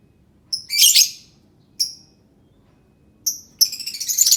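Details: Lovebird song meant to get reluctant lovebirds singing: a harsh high burst of chatter, two isolated squeaky chirps, then rising, rapid, scratchy chattering.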